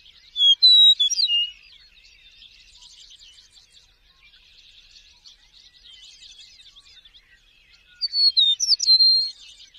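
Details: An Eastern Meadowlark sings two clear, sweet, slurred whistled phrases that fall in pitch, about eight seconds apart, over faint chatter from other birds.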